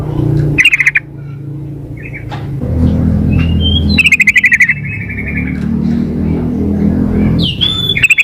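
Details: A female yellow-vented bulbul calling the male gives short buzzy chattering bursts separated by long stretches of droning low hum. One burst trails into a level whistle.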